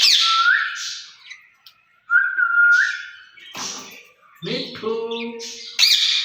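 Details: A pair of caged ringneck parrots talking together in Urdu or Hindi. Rising whistled notes repeat, then a low, buzzy, speech-like phrase and a final burst of high screeches.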